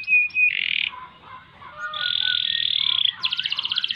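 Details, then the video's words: Canary song with ngerol rolls: a clear whistle and buzzy burst, soft lower warbling, a long, even, churring roll, then a fast pulsed rattle. "Kenari Gacor Panjang Ngerek Ngerol Nembak Mantap Buat Masteran dan Pancingan | Bird Singing"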